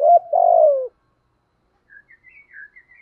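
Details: Decoy spotted dove giving a stuttering lead-in and one long, buzzy, falling coo meant to provoke wild doves, followed by faint, thin, higher chirps from another bird.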